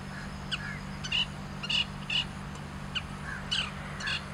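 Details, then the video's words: Long-tailed shrike perched on a branch in grassland, singing at length. It gives harsh, scratchy calls in short bursts about every half second, some with a thin ringing note, over a steady low hum. "Long-tailed Shrike Vocalization"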